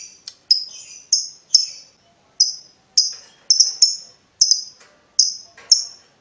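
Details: Lovebird sounds for training other birds: a series of short, sharp, high chip notes at irregular intervals, some in quick pairs, with faint softer twittering between.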